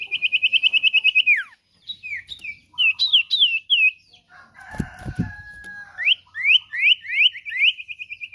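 Common iora singing a fast, clear trill of high whistles, then slurred upward and downward notes, broken by a brief burst of low rustling noise.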